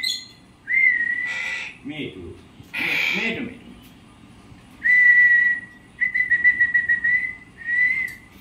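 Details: Parrot alternating rough, noisy squawks with clear sustained whistles. One whistle has a slightly trilled, pulsing texture, and the final notes are level tones repeated with brief gaps.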